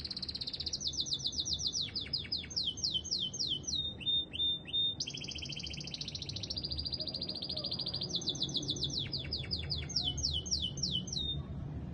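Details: Canary song made of successive rolling tours, fast trills of repeated high notes, steady whistled phrases and sudden pitch shifts between sections, sung continuously over faint low background noise.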